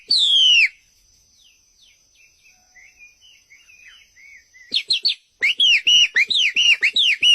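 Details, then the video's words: White-rumped shama (murai batu), full isian masteran song: one loud falling whistle, a quiet stretch of soft twittered notes, then a lively sequence of sharp chips and looping whistles at about four per second. "murai batu"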